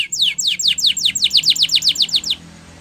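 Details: A Spanish Timbrado canary gives a training-song phrase: about fourteen loud, clear, descending whistled notes in a steady quick rhythm, stopping sharply, followed by a low background hum.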